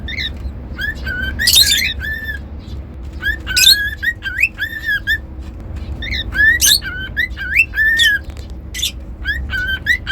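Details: Pet cockatiels whistling: clear tonal notes near the same pitch, some rising or arched, repeated in bursts, with occasional harsh broadband squawks and a low steady hum underneath.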